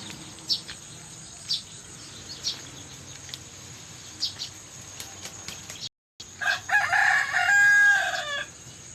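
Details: Rooster crowing at sunrise: after a background of regular faint ticking and a brief gap, one loud, harmonic crow lasting about two seconds, with a rising start and a sustained, strained ending.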